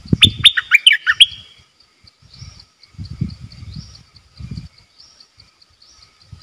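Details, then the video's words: Decoy bulbul kept to lure wild birds, recorded 18 December 2021. It opens with a quick burst of liquid, warbling whistled notes lasting about a second and a half, then low thumps and handling knocks follow over a faint high ticking. "เสียงนกดอกแตงEp.93 Birds sounds"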